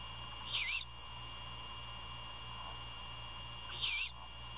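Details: Great horned owl at a nest near Savannah, Georgia, at 1:38 AM on 27 February 2022 during a night-time prey handover and feeding; two short, harsh, raspy screeches about three seconds apart over a steady electrical hum.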